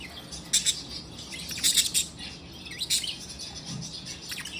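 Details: Budgerigars, happy and playing, giving scattered sharp high chirps in small clusters over soft background hiss and a low murmur.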